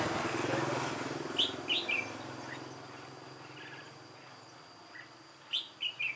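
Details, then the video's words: Old white-cheeked red-whiskered bulbul decoy singing alone during trapping, 1 July 2018; two bursts of short, bright whistled phrases of three or four quick notes, separated by a few seconds, over a low steady hum. "Bẫy chào mào Má trắng Chơi solo mồi già"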